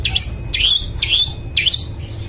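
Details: Long-tailed shrike, an energetic singer meant to wake up silent birds, giving four quick swooping notes, each dipping then rising into a buzzy harsh tail, about half a second apart.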